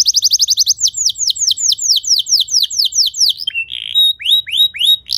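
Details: Canary singing to coach other canaries: rapid high notes repeated about four a second, shifting into downward-sweeping slurred whistles, a brief buzzy note, then more swooping whistles.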